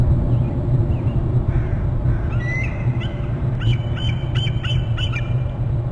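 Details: Bald eagle trilling at its nest territory on Hornby Island. A run of thin, high, chirping notes comes in the second half, partly broken up, over a steady low rumble of wind or machinery.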